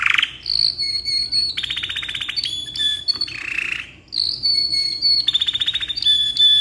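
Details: Lively canary delivering a long tutoring song, alternating sustained high whistles with fast rattling rolls and lower buzzy trills, pausing once briefly before repeating the sequence with clear piping notes.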